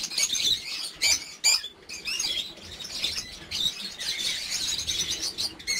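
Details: Many lovebirds calling together in a large breeding aviary, nesting season 2019; a continuous shrill chattering of many overlapping birds, broken by several loud sharp squawks near the start.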